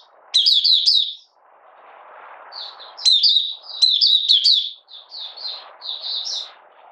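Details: Malaysian Oriental white-eye in minor moult and out of form, 31 July 2023, singing its opening song ('buka sing'): rapid high twittering phrases of sweet downslurred notes in bursts, with a soft low hiss in the pauses.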